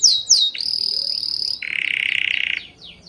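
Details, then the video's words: Birds chirping: quick downslurred high chirps, then a long steady high whistle, then a lower buzzy trill for about a second, ending with soft falling chirps. "The sound of birds chirping soothes the soul"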